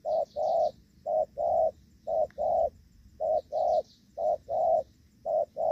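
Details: Spotted dove, the trapper's decoy during the rainy season in Vietnam, calling gù vấp: repeated two-part low coos, short then drawn out, in a steady rhythm, with soft high-pitched bird chirps faintly behind.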